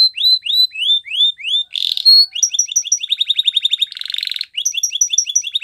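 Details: Canary training song: repeated rising whistled sweeps, brief buzzy bursts, and fast runs of short repeated notes.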